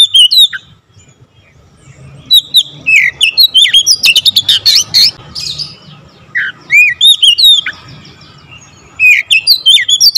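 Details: Oriental magpie-robin in full, varied song: sharp whistled slurs and dense buzzy chatter come in long fast runs, with a short quieter lull after the opening notes; low steady hum.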